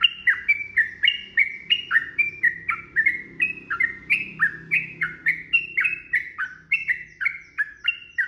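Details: Sooty-headed bulbul in extended rapid fighting song, meant to draw answering song from other bulbuls. About twenty-five ringing whistled slurs follow each other steadily, alternating higher and lower tones, over a soft low hum.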